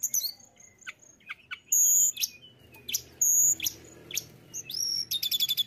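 Mountain tailorbird singing very high, thin notes: sharp chips, two long piercing whistles, and a fast, even trill at the end.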